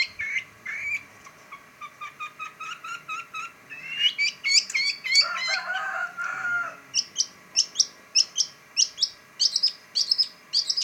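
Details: Long-tailed shrike, locally pentet, starting with quick chattering notes, swelling into a dense, twittering medley, then ending in a series of sharp, high, evenly spaced chips.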